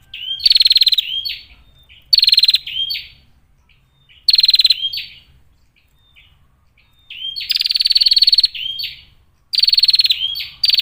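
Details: Bar-winged prinia female calling as a lure for other prinias: strident pulsed buzzes, each followed by slurred chip notes, repeated every couple of seconds with quiet gaps in between.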